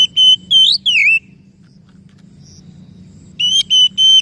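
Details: Oriental magpie-robin whistles, aimed at getting a stressed, non-singing bird to sing again: three loud piercing whistles including a rising then falling slur, silence, then three more steady ringing notes.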